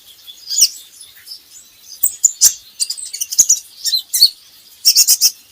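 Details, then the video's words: Kolibri ninja, the van Hasselt's sunbird, chattering in a quick jumble of high, sibilant chirps, played to prompt caged birds to sing; several sharp clicks scattered through. "PANCINGAN KOLIBRI NINJA Bahan Agar Bunyi"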